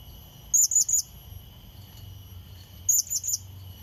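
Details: Calling to lure and challenge an opponent, a Blue-crowned hanging parrot gives two sets of three shrill, high, clipped notes about two seconds apart, with a faint steady high whine underneath.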